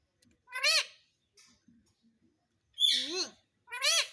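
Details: Pet talking parrot imitating the words "Mummy Papa": three loud, voiced, speech-like syllables with rising and falling harmonic contours, separated by pauses with faint low murmurs between them.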